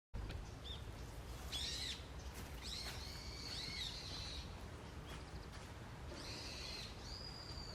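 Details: Wild birds calling in a forest on an early autumn morning: short chirps, then a long steady high whistle around mid-clip, followed by more bright chirps and a thin sustained note, over a constant low rumble.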